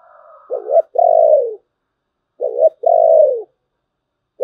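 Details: Spotted dove giving thổ bầu style cooing, two phrases of a brief stuttered note then a long, mellow, slowly falling coo, with a faint higher sound at the start.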